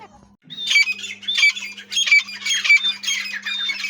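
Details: Grey francolin calling: harsh, grating phrases repeated about every half second, each a dense burst of squawky notes. A steady low hum runs underneath.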